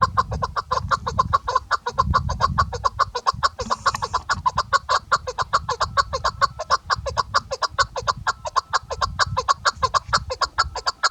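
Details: Female chukar partridge, named locally chakor or keklik, calling in a long run of rapid, hoarse chuck notes, roughly two per second, steady throughout, over low rumbling background noise.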